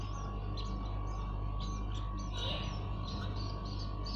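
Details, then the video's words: Common iora nestlings hand-fed by a keeper, giving a stream of high scratchy chirps about twice a second, with a brief rustle midway and steady electrical humming underneath. "Lolohan Anakan Burung Cipoh/Sirtu"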